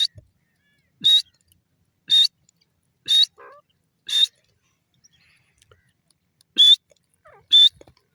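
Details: Grey francolin calling, a series of loud, harsh broadband notes with a whistled tone near the top, about one note per second, with short pauses and a few faint softer sounds between.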